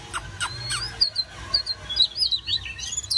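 An Oriental magpie-robin sings a quick, varied run of clear, high whistles that slide up and down, mixed with short sharp chirps, over a faint low hum.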